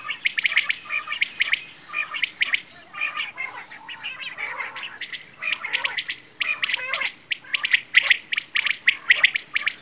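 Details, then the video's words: Quail, called bedana or batair, giving dense bursts of sharp, chirpy, chattering notes in quick clusters, with short pauses between groups throughout. "Quail | Bedana | batair ki awaaz"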